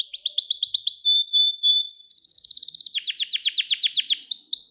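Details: Gloster canary song meant to condition males for breeding. Fast rolling trills, two brief flat whistles, a steady rattling tour, then rising sweeps repeated several times a second.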